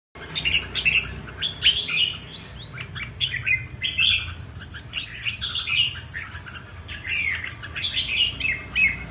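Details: Red-whiskered bulbul kept as a songbird, singing in a showy, performance-style manner: loud whistled phrases with sharp rising and falling sweeps, delivered in quick bursts about every second, with a low background rumble.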